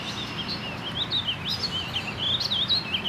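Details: Warbling vireo singing at Mystic Lakes on Monday, May 14, 2018: a fast, rambling, unbroken warble of high, rolling notes that rise and fall without pause, over a low, steady background rumble.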